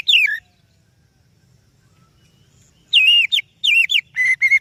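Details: Singing oriental magpie-robin, used as a lure for other birds. It opens with one falling whistle, then silence, then a burst of rich, slurred whistles and short repeated notes that are louder and clearer.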